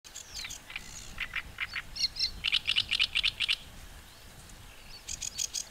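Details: Great reed warbler singing in a reedbed, its very loud song: harsh, grating, r-rich notes repeated in short bursts of several syllables per phrase, broken by brief pauses, over a soft background hiss.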